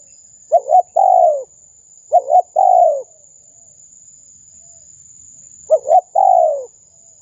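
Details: Spotted dove lure call for drawing in wild doves: three phrases of low cooing, each a quick doubled coo then a longer drawn-out falling coo, separated by pauses of about two seconds, over a faint steady high tone.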